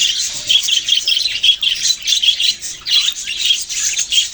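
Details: Budgerigars, Australian parrots, in a busy chirping chorus of rapid harsh chirps and warbled squawks that overlap without a break.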